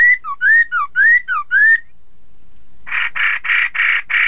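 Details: Chinese hwamei song intended to set rival birds singing: a sequence of ringing whistles swinging between high and low pitch, a short pause, then five broad, buzzy notes evenly spaced.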